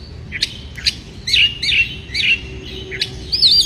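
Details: Oriental magpie-robin, a bird in breeding condition singing to provoke rivals: sharp rising whistles followed by a run of warbled, slurred notes and a twisting high trill at the end.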